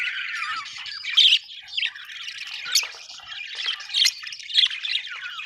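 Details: Budgies chattering without pause: a buzzy, twittering warble with sharp squawks standing out about every second, clearest near the middle and end.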